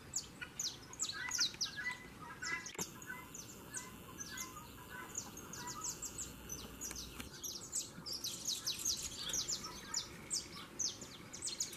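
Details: Saffron finch in an agitated, quarrelsome mood as breeding season nears; a fast, busy stream of bright, high chirps and sharp ticks runs almost nonstop, with brief pauses, over a faint steady hum.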